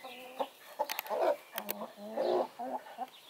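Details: Brahma broody hen off the nest, running about on her daily break to empty her gut, eat, drink and preen, calling loudly: harsh nasal clucks and drawn-out growling notes in irregular bursts, with faint background sounds.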